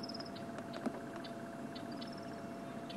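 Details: A crested barbet at sunset on 27 January 2016 in Sabi Sand gives a constant, fast, even trill that runs on unbroken, while other birds add brief high whistles and a low steady hum sits underneath.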